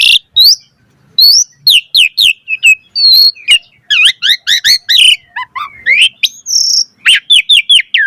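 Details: Asian pied starling (jalak suren) in full varied chattering song, used to train other starlings: fast run of high, rising and falling whistled notes and buzzy chips, with loud notes packed densely and short gaps between bursts.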